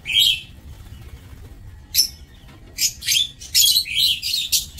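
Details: Lovebirds kept in an aviary, recorded 27 March 2024: sharp, shrill chirps and squeaky chatter in irregular bursts, a short burst at the start, then a louder run of harsh notes over the last two seconds.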